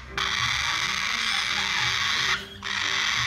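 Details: Young male Sulphur-crested cockatoo, hand-fed two to three times a day and a big eater, begging loudly for food: a continuous harsh, rasping screech, briefly broken after two seconds before resuming.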